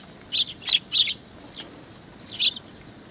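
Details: Sparrow injured on the top of its beak, recorded 20 August 2022 at a Tenmangu shrine: a quick run of three sharp high chirps, a faint fourth, then one more chirp after a pause, over quiet background hiss.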